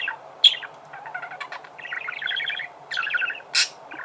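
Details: Singing budgerigars: a sharp high squeak, then dense chattering warble of short buzzy notes and clicks, broken by a loud harsh rasp near the end.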